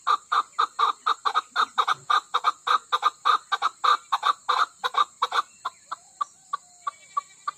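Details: Loud, fast clucking from a female chukar of the Koh-i-Suleiman range, Pakistan, about three notes a second for five seconds, then slowing to softer, widely spaced notes, with a steady high hum.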